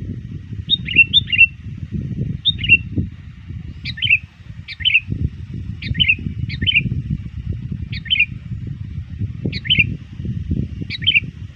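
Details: Trained sooty-headed bulbul calling rivals in the run-up to dusk: around ten crisp bubbly phrases repeated every second or so, with low rumbling background noise throughout.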